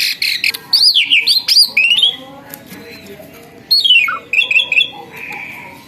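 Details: Captive starling, once wild and shy, now tame and singing energetically: bursts of sharp whistled notes with rising and falling slides and harsh chatter, separated by short pauses, with quiet background hum.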